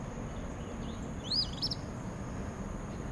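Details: Eastern Phoebe at Spring Lake, among meadows and wetlands, giving one quick, raspy two-part "fee-bee", its name-like call, high and fairly faint, over a steady thin high whine and low rumble.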